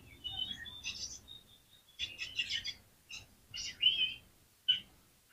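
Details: Oriental magpie-robin song meant to spur other magpie-robins to sing, heard softly: varied short whistles and buzzy chirps in uneven bursts over a low background hum.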